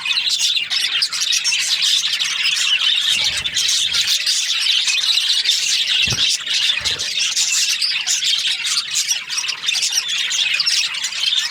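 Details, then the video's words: Budgerigars chirping in breeding season, a steady crowded chorus of shrill twitters and raspy squeaks, broken by a few short low knocks. "Happy budgies chirping sounds | breeding season"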